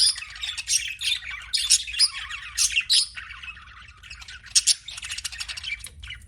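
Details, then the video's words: Budgerigar chirping: loud bursts of sharp, squeaky chirps in the first half, then a softer, scratchier warble with one more loud squeak, over a faint low hum. "BUDGIE CHIRPING SOUNDS"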